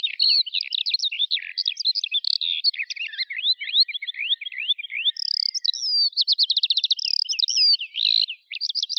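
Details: Eurasian skylark in steady song, a dense run of rapid chirps and downward slurs, a short lull, then a fast even trill of repeated high notes and renewed twittering.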